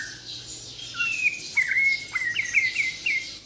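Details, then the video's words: Wild-origin white-rumped shama from Borneo, Kalimantan, singing a full-repertoire song: thin whistled notes and short rising chirps around a steady high tone, loosely repeated phrases. "MURAI BATU BORNEO GACOR FULL ISIAN || AMAZING BIRD CHIRPING MURAI BATU"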